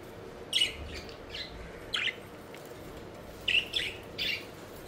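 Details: Pet budgies playing and flying around, giving quick high chirps in small clusters: a pair near the start, one in the middle, then three close together near the end, over a low background hum.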